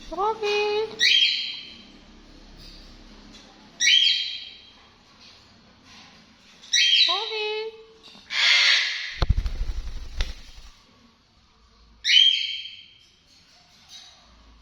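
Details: Sun conure giving loud harsh screeching calls, each a rough burst of about one second, repeated every two to four seconds, with a few lower rising notes in between and a brief crackling noise near the middle.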